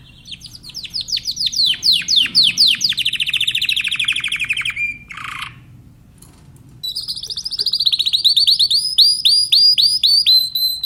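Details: A Timbrado canary sings a long, fast trill that drops gradually in pitch, breaks briefly, then resumes with rapid rolling notes topped by crisp high upswept whistles.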